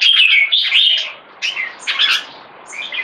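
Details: Red-whiskered bulbul, young and caged, with early red spotting and a C-shaped aggression stance. It opens with a fast whistled phrase, then gives separate bursts of chirps at about 1.5 and 2 seconds, and a faint note closes.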